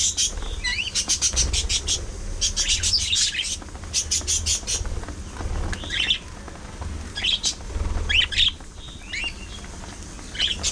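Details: Several pet budgerigars, shown playing, squabbling, singing and preening one another, chirp loudly in quick rattling bursts mixed with short rising whistled notes and squeaks, with pauses between volleys and a faint low background hum.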